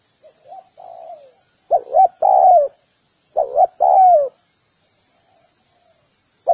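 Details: Spotted dove: a soft drawn coo, then two loud phrases of short clipped notes ending in a long falling coo, separated by about a second and a half, then quiet.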